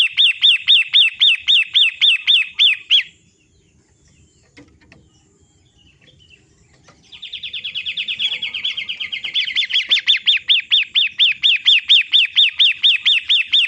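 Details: Pentet matahari (long-tailed shrike) master recording used to stimulate caged birds to sing. A burst of rapid arched notes stops, a few seconds of near silence follow, then a buzzy chatter builds back into regular loud repeated notes.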